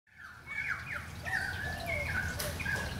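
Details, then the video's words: Currawongs visiting during a rain shower: swooping whistled notes gliding between mid and high pitch, some with a rough edge, given in loose overlapping phrases after a quiet start, over a steady low background hiss. "Currawong song"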